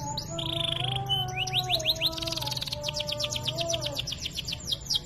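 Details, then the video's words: Vigorously singing canary with luxurious turns: an opening slide, a buzzy held note, rising chirps, a rasping burst, then a long even trill of short high notes. "Masteran Suara Burung Kenari GACOR cengkok mewah ‼️ pilihannya para juri Kenari akan EMOSI"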